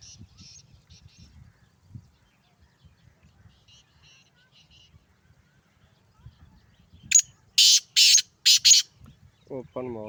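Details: Male black francolin of Sindh giving its call: a rapid string of loud, grating, harsh notes over about two seconds, following faint chatter, with a low voiced sound at the end.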